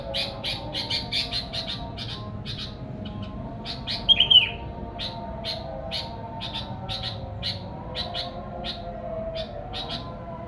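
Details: Song of a sooty-headed bulbul, played to attract wild birds of its kind: a fast stream of short, high chirps, about four per second, with one brief whistled slur midway, over a low background drone.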